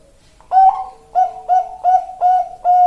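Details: Bangkok-type zebra dove giving its Indonesian-style song: a rising opening coo followed by five short, clear cooing notes spaced roughly every half second, each with a bright ringing quality.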